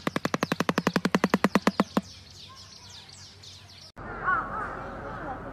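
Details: A shoebill clatters its bill, upper and lower jaws clapping together, in a fast, hollow machine-gun burst of about twenty knocks over two seconds, then quiet background with faint chirps from other birds.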